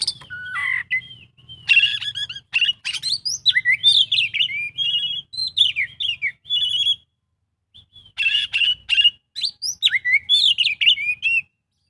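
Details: Oriental magpie-robin (kacer) performing 'isian full' song: long varied phrases of rising and falling whistles, twitters and quick trills. A pause of about a second falls near the middle. A faint low hum sits behind it.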